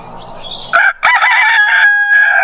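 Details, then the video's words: Rooster crowing in the morning, a loud harmonic cock-a-doodle-doo that starts after a soft murmur, breaks briefly, then holds a long level final note for about a second and a half. "Rooster Crows - For Wake You Up"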